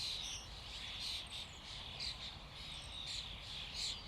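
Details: Common starlings calling as a flock, a thick wash of high chirps, rasps and short slurred whistles layered over one another without pause, rising and falling in loudness.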